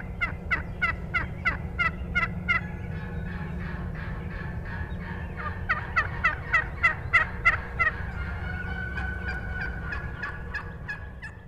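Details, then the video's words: A young wild turkey hen yelps lightly at very close range on 19 March 2014: two runs of raspy, evenly spaced yelps, about three per second, with other hens yelping behind and a steady low rumble. "These are the BEST YELPS from a REAL LIVE HEN"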